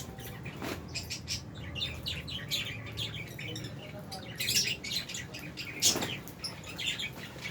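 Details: Several aviary lovebirds, albino and Fisher's, chirp continuously in shrill, scratchy bursts, with a few louder piercing notes standing out near the end and faint low background noise.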